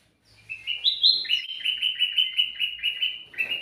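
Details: Lively song of a sooty-headed bulbul, offered as a lure for other birds: about a dozen quick, bright chirping notes strung together in a fast, even stream, up close and clear.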